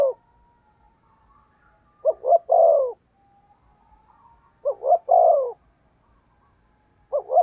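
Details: Decoy spotted dove giving thúc gù cooing to lure wild doves: two-part coo phrases, a short double note followed by a longer falling coo, repeated roughly every two and a half seconds with quiet gaps between.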